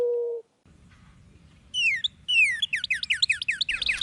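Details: Northern Cardinal song, a common backyard bird in Central Texas: two loud, slurred, falling whistles, then a quickening run of short downslurred notes. A steady low tone comes first, over faint background hum.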